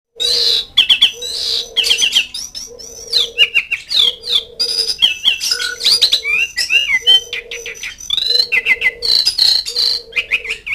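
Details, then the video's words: Asian pied starling calling to mates and rivals: harsh squawks mixed with whistled rising and falling notes and chatter, over a steady low hum pulsing in repeated bursts about once a second. "NADA KICAU CALLING JALAK SUREN MEMANGGIL LAWAN"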